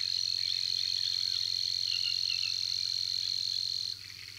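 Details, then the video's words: Savi's warbler at Tancat de l'Illa giving its persistent song, a long, unbroken, insect-like reeling trill on one high buzzing pitch, running about four seconds before stopping abruptly. "BUSCARLA UNICOLOR"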